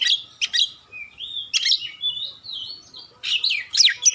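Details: Oriental magpie-robin (kacer) song used as masteran: sharp chattering bursts alternating with smooth, drawn-out whistles that glide up and down, ending in harsh scratchy notes.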